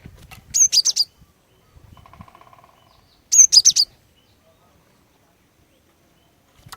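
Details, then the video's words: Female cinereous tit's luring song to set males singing: two phrases of three to four shrill, high chirps roughly three seconds apart, with a brief faint low buzzing tone in the gap. "Kicauan Glatik Betina Pikat Gacor, Cepat Bikin Glatik Jantan Ikut Bunyi Gacor"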